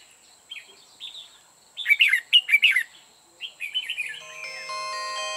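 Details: A red-whiskered bulbul kept as a trapping decoy sings to attract wild birds: a few soft notes build into a loud burst of sharp, bubbling phrases, then a fluttering warble, before an electronic ringtone-like tone sequence starts near the end.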